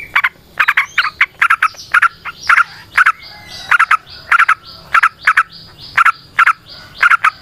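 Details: Yellow-vented bulbul used as a lure for other bulbuls. Long run of harsh, buzzy pulsed bursts, repeated in quick, fairly even succession throughout.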